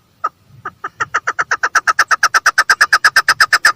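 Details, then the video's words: A female chukar partridge gives a fast run of harsh, clucking notes that start sparse and speed up to a steady chatter, about three a second. "female partridge voice|mada chakor ki awaz|keklik sesli"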